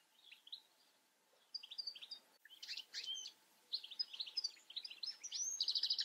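A European goldfinch sings a rapid, tinkling twitter of high liquid notes and chirps, ending in a dry buzzy trill; no other sounds intrude.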